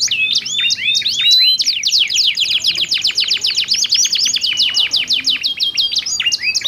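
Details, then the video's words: Pair of domestic canaries in back-and-forth song, offered as a prompt to get other canaries singing: a few swooping phrases give way to a long, very rapid trill of clipped descending notes. "SUARA KICAUAN KENARI GACOR SALING BERSAUTAN"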